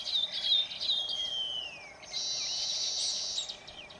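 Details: Baya weaver in Phaltan, Satara, Maharashtra, India: quick high chirps and a thin whistle gliding downward, then a long sizzling buzzy wheeze held for over a second before fading.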